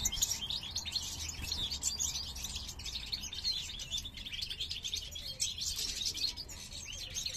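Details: Parva goldfinch male, part of a caged breeding pair in 2023, singing while his mate investigates the new nest; a softer, continuous ripple of twittered chirps and trills, somewhat distant-sounding.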